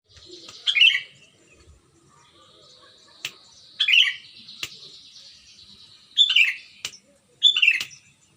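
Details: Sooty-headed bulbul singing lively, clear-voiced, recorded in Pangalengan, Ciruntah, Bandung, West Java, Indonesia, used to prompt silent bulbuls to sing. Short bubbly phrases of quick descending notes come about every one to three seconds over a steady thin high whine, with a few sharp clicks.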